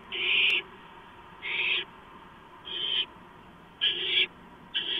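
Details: Barn owl calling at the nest around 11:43 PM, 2 April 2015, during delivery of a gopher. Five drawn-out breathy screeches, about a second apart, each a harsh rasp against a quiet background.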